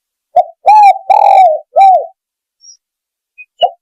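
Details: Spotted dove call used for luring birds: one full phrase of a brief opening coo, two long arched coos and a short ending coo, then a lone coo begins after a pause.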